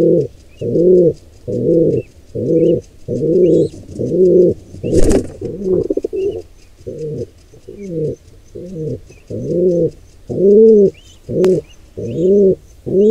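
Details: Wild pigeon at a nest where a squab is attacked by an intruder pair: deep, arched coo-like notes about one per second, fourteen in thirteen seconds, with a sharp knock midway, a click later, and faint high chirps of small birds.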